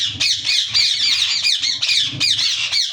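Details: A yellow rose-ringed (ringneck) parakeet (Psittacula krameri), a talking pet parrot, gives a run of harsh, shrill squawks, rapid and overlapping, several a second, over faint low room hum.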